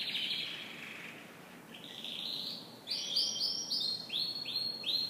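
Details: Canary singing in the morning, opening with a buzzy trilled note, then slurred arched notes repeated in a regular series about every half second.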